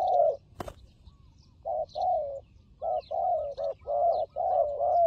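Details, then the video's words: Turtle dove associated with fighting, loud low coos at the start, a sharp click, a quiet gap, then a series of longer flat coos of varying length, with soft distant chirps above. "Good Fighting Dove"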